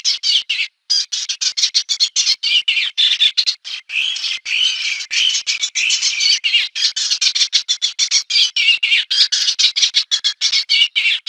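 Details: Eastern olivaceous warbler singing a fast, continuous run of scratchy, chattering notes, high-pitched and repeated in rapid, uneven bursts with only brief pauses throughout.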